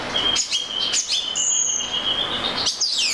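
Oriental magpie-robin singing high, varied whistles and quick sweeping notes about every half second, ending in a falling whistle, over a steady high hiss.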